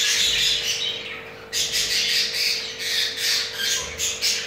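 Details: A crested jumbo male budgerigar, kept at home with a mate that has two eggs, calls while mating: dense, continuous high scratchy chatter with rapid squawks.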